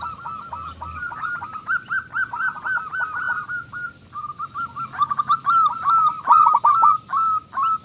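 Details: Local zebra dove with a loud, big voice, used as a lure to make other doves sing: fast runs of hooked cooing notes, repeated briskly and near-continuously, with a few short pauses and faint clicks.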